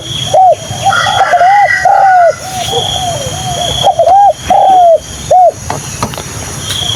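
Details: A captive Spotted Dove being trained as a decoy coos in quick runs of short, arched, mellow notes, with a steady high insect hum and a second bird faintly behind.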